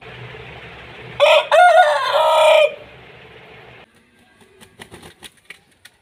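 An Aseel rooster gives one loud, harsh crow of about a second and a half, starting with a short note and ending in a drawn-out strained tail; faint clicks follow.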